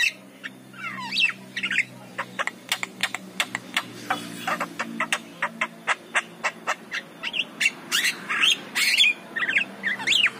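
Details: Javan myna singing in the morning, a lively lure song for prompting other mynas: rapid dry clicks and ticks, about two per second, mixed with harsh squawks and short rising and falling whistles, over a steady low hum.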